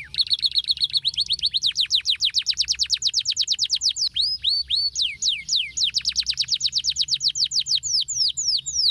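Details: A male canary sings to coax silent canaries back into song. A bright, rapid rolling trill of many falling notes runs on, pauses for a moment, then turns into looping whistled slurs and another fast sweeping trill.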